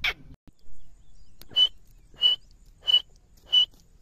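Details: Grey francolin giving a short series of faint, clear whistled notes, each a brief high tone repeated about every two-thirds of a second, after a sharp opening note, with a quiet background.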